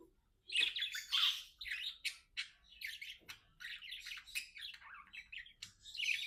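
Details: Pet budgies sing to each other, a busy run of short chirps and harsh squeaks, nearly two a second, uneven in rhythm, broken by a brief hush near the middle.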